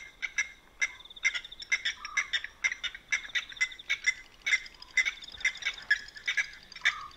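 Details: At a dam after dark in Manyeleti Game Reserve, South Africa, blacksmith lapwings give a steady stream of clinking metallic tink notes, two or three a second, with occasional doubled strikes and a brief lower nasal note.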